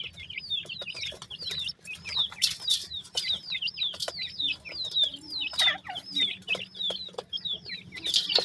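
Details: Many francolin chicks from Pakistan, where such birds are farmed, cheeping constantly in a dense overlapping chorus of high, thin, downslurred peeps, several per second, with faint rustling and low background hum.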